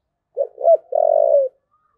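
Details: Low, hollow coo phrase of a spotted dove in 'thúc gù' style: two quick rising-falling notes, then a sustained coo of about half a second that trails off.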